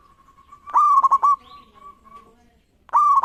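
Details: Local zebra dove singing actively to provoke rivals into answering: soft coo phrases near one pitch, each opening with a rising note and broken by quick stuttering pulses. Two phrases about two seconds apart, with quiet murmur between.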